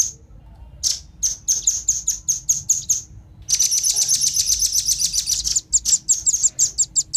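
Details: Male and female velvet-fronted nuthatch calls for luring wild birds: sharp high chips repeated about three per second, then a fast dense buzzy trill, and further loose chips with a faint low background hum.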